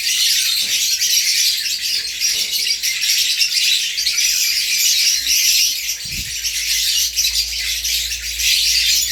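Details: Caged African lovebird pair, parblue opaline female and sable violet clear pied ino male, newly moved and fighting with the neighbouring birds for hours on 20 April 2020; unbroken wall of high, harsh chatter, a few low knocks and thumps underneath.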